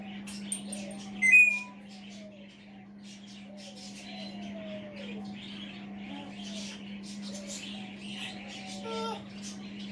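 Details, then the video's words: Pet African grey parrot, a male sitting on a chair in the background indoors, chattering to himself: soft gliding whistles and wavering speech-like babble over ten seconds, one louder squeak early on, with a constant electrical hum beneath. "AFRICAN GREY TALKING TO HIMSELF"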